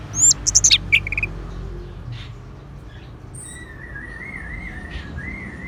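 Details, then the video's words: Orange-headed thrush song: a quick burst of high, sharp whistled and trilled notes, then a long wavering, warbled whistle that rises and falls steadily over several seconds, with a low background hum. "Suara ANIS MERAH"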